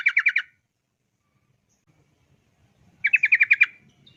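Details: Yellow-vented bulbul 'ropel' lure song to get bulbuls singing: a short trill of five quick chirps, near silence for over two seconds, then a second trill of about eight crisp notes.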